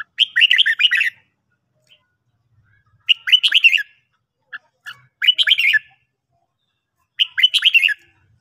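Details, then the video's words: Red-whiskered bulbul singing in the morning, recorded for song training: four short, lively warbled phrases of quick chirping notes, repeated about every two seconds against a quiet background. "luyện chào mào hót buổi sáng"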